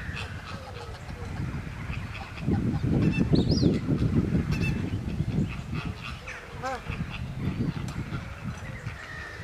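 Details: At Slimbridge, a magpie goose gives scattered resonant honks, including one clear harmonic call near the end, over a long stretch of heavy low rumbling noise and distant bird chatter.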